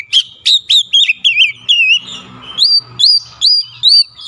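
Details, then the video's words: Agitated Oriental magpie-robin sings a steady sequence of loud slurred whistles, about one every half second, first falling then rising in shape, with a brief quieter gap and a faint hum behind. "SEKALI PUTAR AUTO KACER ANDA LANGSUNG EMOSI TINGGI BONGKAR ISIAN"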